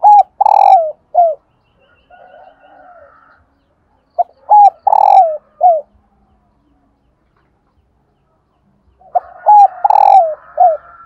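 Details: Calling of a female spotted dove, used to stir reluctant decoy birds into cooing: three phrases roughly every four and a half seconds, each several hoarse cooing notes with the long one sliding down, separated by quiet burbling.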